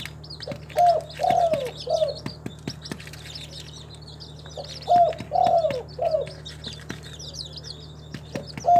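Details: Spotted dove, a local tekukur kept in a bird collection in Timika, Papua, Indonesia, giving low mellow three-part coos, the middle note longest and sliding down, repeated about every four seconds over high twittering of other small birds.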